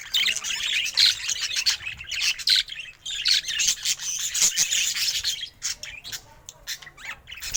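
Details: A budgerigar kept at home and described as happy warbles in bouts of fast, scratchy twittering, with short pauses and a few clipped chirps near the end.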